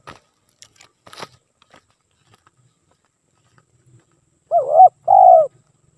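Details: Spotted dove, recorded as a lure, gives one deep two-part coo near the end: a rising, wobbling note and then a longer falling purr. Faint clicks and knocks come earlier, before the bird sings.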